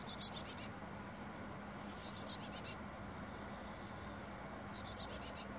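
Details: Carolina chickadee at its nest box on May 24, 2021, parent and hatched nestlings not yet ready to fledge, with a breeze. Short bursts of very high, rapid notes sliding slightly downward recur about every two and a half seconds over steady hiss.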